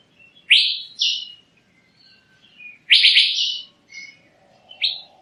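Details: Asian fairy-bluebird giving a few loud upswept whistles, a rapid rattled cluster in the middle, and a final short whistle, over a faint low hum and soft background chirps.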